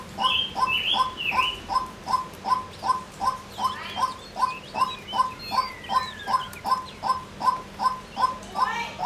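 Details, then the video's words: Female white-breasted waterhen delivering a steady run of brief clucks about three per second, with other birds' twittering and a sweeping whistle in the background. "Cuốc Mái Kêu | Tiếng Chim Cuốc Mái"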